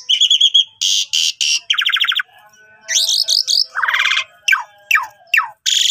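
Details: Asian pied starling, jalak suren, with a varied master song for starlings that rarely sing: pulsed whistles, rasping bursts, buzzy chatter, then several steep falling whistles separated by short gaps.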